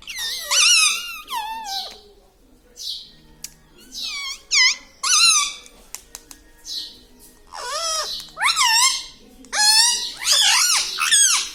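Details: Pet talking parrot indoors, imitating words like "Papa Mummy"; many short, harsh, strongly harmonic syllables with bending pitch, delivered in uneven bursts over the whole stretch.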